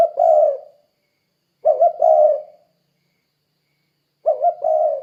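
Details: Spotted dove used as a calling lure for derkuku doves: soft, low coos, a long single note then two phrases of quick double notes running into a drawn-out, fading coo.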